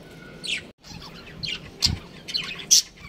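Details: Chirping from a breeding pair of budgerigars: rapid, irregular high chirps and squeaky notes, about one a second, with one loud sharp squeak near the end.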